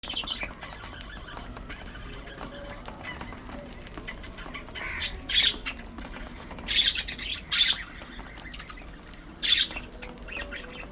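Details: Budgerigars at early morning feeding time give scattered short, bright chirps in brief bursts about every second or two over a low, steady background hum.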